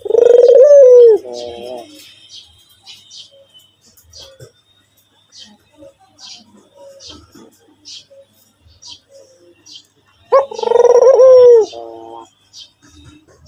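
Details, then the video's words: White Barbary dove in a mostly quiet room gives two loud rolling coos, one at the start and one near the end, separated by a long pause with faint clicks and rustles. "burung puter putih gacor"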